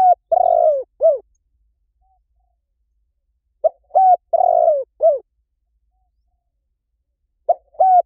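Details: Spotted dove lure call, said to draw a fast response in any forest: a low mellow phrase of short hoot, held coo, rolling falling coo and arched final note, repeated about every three and a half seconds, with a quiet background.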